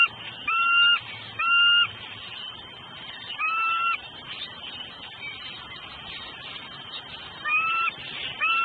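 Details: Female bald eagle at a southwest Florida nest, hollering for a while before her mate brings food, likely fish; clear two-toned squealing calls with a bright upper harmonic, given in pairs and single bursts over steady background hum.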